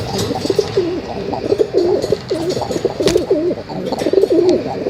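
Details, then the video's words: Several pigeons cooing continuously in low, bubbling, rolling phrases that overlap one another, with a few faint clicks and knocks in the background. "कबूतर की आवाज || kabutar ki awaz || Pigeon Sound"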